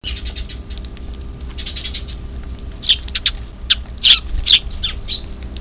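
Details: Eurasian tree sparrow young in Japan begging on 3 April 2024 as an evening meal is put out for the semi-wild birds; soft fluttering chirrups build into sharp, piercing squeaks repeated irregularly, roughly two per second.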